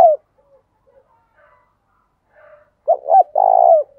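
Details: Spotted dove used as a decoy to stir wild doves into cooing; a faint coo tail opens, then after quiet comes a clear phrase of two quick hoots and a sustained, slightly falling coo.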